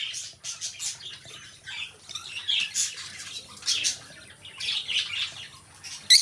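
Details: A pair of pet lovebirds chatters in a room with uneven bursts of raspy, high twittering. The bursts rise and fall every half second or so, with a sharp squawk at the very end.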